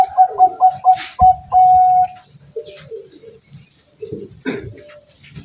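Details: Perkutut bangkok, a zebra dove kept at home, singing in strong wind: five quick staccato coo notes then a sustained level whistle-like coo, followed by softer lower coos and faint rustling.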